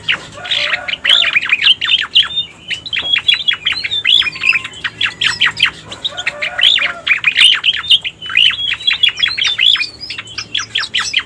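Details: Lure recording of a striated grassbird meant to draw in wild birds: rapid chattering phrases of bright, clipped notes, strung in two long bursts broken by a short pause.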